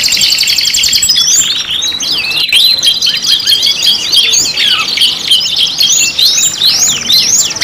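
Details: Lively canary pancingan song from a five-in-one lure mix: tumbling high warbles, sharp chirps and sliding whistles packed tightly together, continuing without pause for nearly eight seconds.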